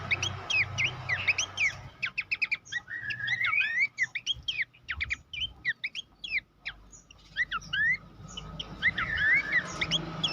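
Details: Horsfield's babbler training song for competition birds: long energetic series of sharp chirps and whistled slurs, some rising glides and warbled trills, with short silences breaking the phrases.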